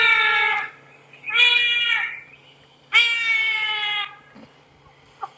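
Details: Trumpeter hornbill call played back during an August 13, 2016 sunrise safari drive, three drawn-out, nasal wailing cries about a second each, strikingly like a baby crying, over a faint low engine hum.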